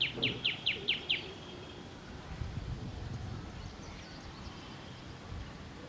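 A common tailorbird gives a quick burst of five or six loud, sharp, high notes in about a second, then falls silent over low background rumble.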